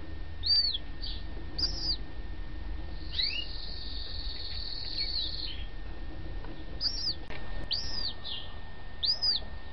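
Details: Yellow-legged gull chicks, a few days old and recovered after being taken in, give thin, high arched peeps every second or so, plus one longer buzzy trill, over a steady low rumble.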